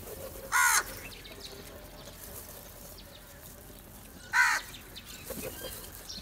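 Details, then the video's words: ['Crows coming together to feed and fighting over food; two loud, raspy caws about four seconds apart, each abrupt and harsh, with soft outdoor ambience and a faint later note.'] "Crow Unity For Food | Crow Sounds"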